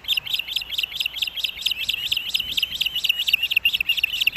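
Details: Osprey at the Hellgate nest in Missoula, Montana, August 2024, as the dad brings fish for breakfast, nest cam: continuous rapid, high whistled chirping, steady and intense throughout.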